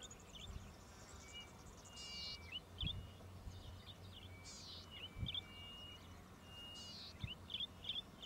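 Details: Golden-headed cisticola in Victoria, Australia, June–July 2013, giving high insect-like buzzes every two to three seconds mixed with sharp upslurred chips and thin level whistles, with soft low wind in the background.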